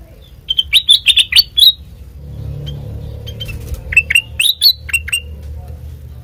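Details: Singing sooty-headed bulbul, used as a lure for training birds: a short series of quick, clear chirps, a gap with low background rumble and faint hiss, then another run of bright, rising and falling notes.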